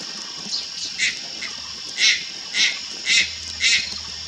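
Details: Juvenile Malayan night heron calling at Lugu, Taiwan, on 4 August 2022: a series of short harsh rasping notes roughly every half second, growing louder, against constant high-pitched insect buzzing.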